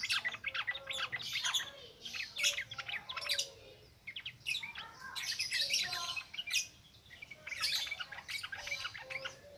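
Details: Ngropel ngalas singing by yellow-vented bulbul, meant as a lure for newly caught birds; continuous busy chattering of high chirps and bubbly notes in waves, with brief pauses.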